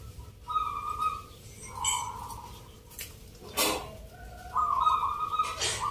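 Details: Contest-singing local zebra doves in Yogyakarta, Indonesia, performing Mentaraman-style rhythm. Trilled coo phrases alternate with sharp clanks and bursts of handling noise, and a final phrase vibrates strongly.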